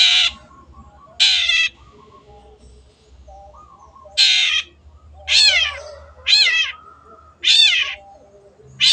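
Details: Long-tailed shrike, recorded for training caged birds, uttering loud rasping calls, some flat and some sliding downward, spaced roughly a second apart with quiet stretches between, and a steady low hum.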